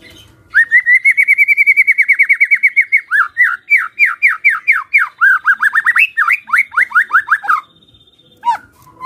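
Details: White-rumped shama giving a fighter-style kretekan call meant to provoke silent shamas into answering: a fast run of about twenty evenly repeated rising notes, then varied, quicker slurred notes and a short pause with a final note.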